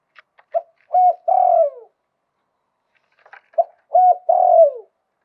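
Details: Two repeated phrases from a spotted dove in the luk tan cooing style, each built from faint clicks, a short note, a steady coo and a long croon that falls away, in a quiet setting.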